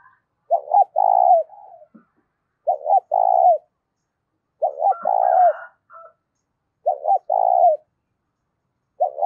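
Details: Loud, clear spotted dove coo, played to excite decoy doves. A low phrase repeats about every two seconds: a quick double note followed by a long, steady hollow coo. A faint higher call briefly intrudes midway.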